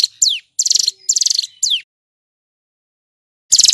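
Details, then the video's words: Male hill prinia giving rapid high buzzy trills and falling whistled slurs in quick succession, then a long silence before another trill burst begins. Clean recording. "Suara ciblek gunung GACOR"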